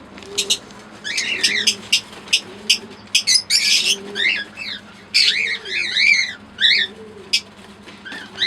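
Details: Fischer's lovebirds, a green pair and an albino red-eyed pair, make short sharp high chirps and twittering bursts at uneven intervals, while a low rising-and-falling coo repeats about every second in the background.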